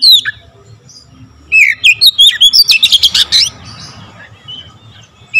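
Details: Oriental magpie-robin singing a varied full song: a high downslurred whistle, then a mix of slurred whistles and a rapid burst of sharp chipping notes, ending with another whistle.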